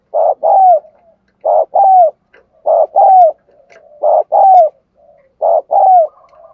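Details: Caged decoy spotted dove giving urging and crowing coos to lure wild doves; five phrases, each a short burst then a longer note ending in a falling slur, roughly every 1.3 seconds, with soft murmurs between, in a quiet setting.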